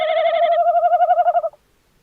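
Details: The wavering tail end of a tawny owl's call, recorded 11 January 2026, pulsing more and more strongly before cutting off into quiet.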